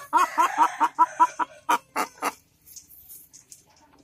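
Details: Hen searching for a comfortable place to lay an egg, giving a rapid run of short, throaty clucks, about ten in under two and a half seconds, slowing and then fading into faint, scattered sounds.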